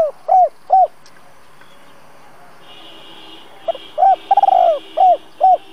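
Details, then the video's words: Spotted dove used as a lure bird for trapping, singing a "double voice" style to provoke wild doves into cooing: short mellow coos, a pause, then a quick run of stuttered notes and a long drawn coo before two more coos. "Cu gáy mồi Giọng Đôi gáy gọi kích bổi nhanh gù"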